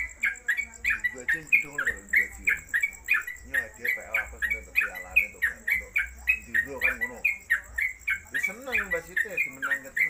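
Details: Caged Sooty-headed Bulbul (trucuk) delivering a long-running rapid 'ropelan' song, kept as a tutor bird. Quick whistled notes near one pitch repeat about four per second, with people talking underneath throughout.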